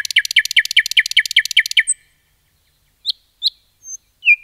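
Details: Singing nightingale in a forest: a fast series of about ten repeated buzzy notes, a high thin whistle, silence, then scattered sharp chips and a rising slurred note.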